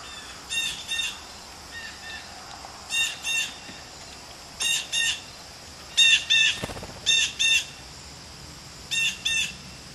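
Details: Excited blue jays chatter while rushing in for peanuts. Paired nasal squawks repeat roughly every second or two over steady outdoor background noise, with one brief low thump.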